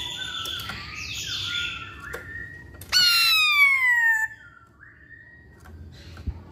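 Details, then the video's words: Chinese hwamei singing busy, soft, jumbled notes, then one loud, clear whistle sliding steadily downward for over a second with bright overtones, followed by a faint short note. "Burung Poksay Hongkong Gacor"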